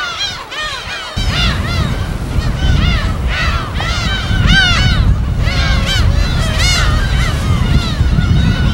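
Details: Gull colony on an uninhabited island in Korea's West Sea: many overlapping arched cries continue while a heavy low rushing sound, like waves or wind, starts after the first second and persists beneath the birds.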